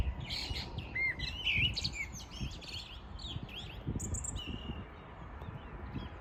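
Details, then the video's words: Morning birdsong from 14 June 2022: a dense cluster of high chirps and short whistles in the first two seconds, then sparser twitters over a low rumble. "Poranek śpiew ptaków"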